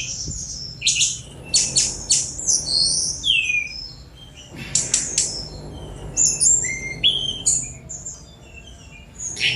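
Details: A Sunda robin sings a long, quick-tempo series of high twittering notes, rapid chip clusters and short whistled slurs that fall and rise. The phrases come in two main bursts with brief pauses between them.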